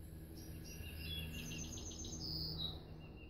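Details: Golden-cheeked warbler singing a short phrase of high, buzzy notes that climbs into a thin, drawn-out buzz near the end, over a steady low rumble of background noise.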